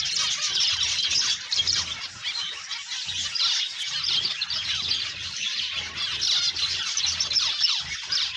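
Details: A dense, continuous chorus of high, nasal chirps and squeaky beeps from many captive breeding zebra finches calling over one another, with a faint low hum beneath; recorded September 12, 2022.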